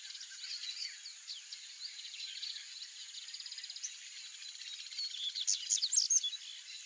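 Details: Song of a male double-collared seedeater, called coleirinho: scattered high twitters lead into a rapid rattling trill, then a closing flurry of loud, sharp, high notes. A steady shrill hiss continues in the background.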